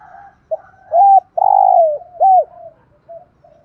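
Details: Spotted dove call, used to train decoy birds to answer; soft low notes build into a run of loud, hoarse, arched coos with one long drawn-out middle note, then trailing quiet murmurs.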